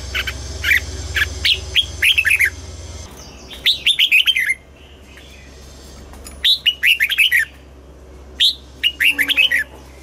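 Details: Red-whiskered bulbul in morning song, double-note mature wild style: repeated phrases of sharp, liquid, descending whistles, grouped in runs of three to six notes with short silences between, low steady hum underneath.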